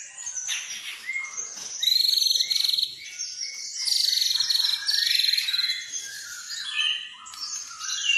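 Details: Full-fill white-rumped shama lure song for provoking other birds to sing: a busy tangle of high buzzy trills, chatters and thin whistles, delivered in rapid overlapping bursts.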